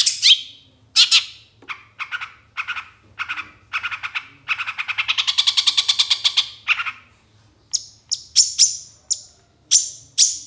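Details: Long-tailed shrike in a 2023 master recording for training songbirds. It delivers a varied song of scratchy chattering notes, then a quick run of about fifteen rasping pulses, and ends with sharp, high, clipped whistles in irregular pairs.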